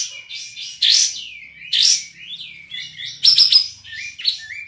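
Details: Caged sooty-headed bulbul from Singkawang, West Kalimantan, in an online song contest, singing a lively, varied run of high chattering phrases and loud, sharp whistled bursts about every second, with no other sounds.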